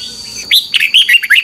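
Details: Song of a caged Red-whiskered Bulbul used to teach other birds: one run of six or seven liquid chirped notes swinging up and down, after a short quiet start.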